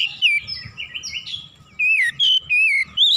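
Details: Oriental magpie-robin singing agitatedly and in full voice, heated up and pouring out its whole repertoire of learned phrases. The song is a rapid string of clear, varied whistles, some sliding down and some rising, delivered in loud bursts.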